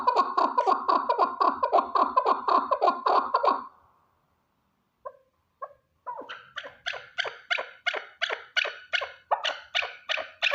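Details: One male chukar partridge gives a rapid, rattling chukar series, pauses, drops a few soft notes, then launches into another long run of evenly spaced, sharp chuck calls.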